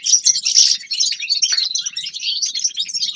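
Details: Short burst of winter forest bird song, bright overlapping tweets and rapid trills from several birds, loudest in the first second, then a steady twitter.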